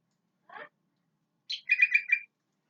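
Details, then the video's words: Sooty-headed bulbul giving its natural song: a soft lower note, a pause, then a quick bubbly run of four or five bright chirps. "KUTILANG SUARA ASLI"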